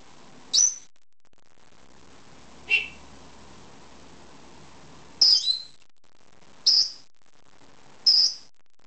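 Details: Two-year-old female pet lovebird wanting a head scratch, giving sharp, high, isolated chirps spaced a second or more apart, five calls in all, against quiet indoor background.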